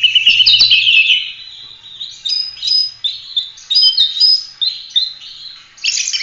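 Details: Oriental magpie-robin (kacer) in full song for training other birds: a harsh opening burst followed by quick repeated whistled and chirping notes, several per second, high and bright throughout.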